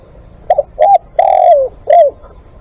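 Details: Cooing phrase from a spotted dove kept as a live decoy: two short hollow coos, a long drawn-out note sliding downward, then a final curved coo. A low background rumble runs throughout.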